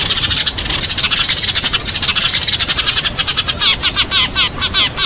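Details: Eurasian tree sparrows fighting, chattering in a dense, rapid stream of harsh chirps with several birds overlapping; sharper, rising notes repeat near the end.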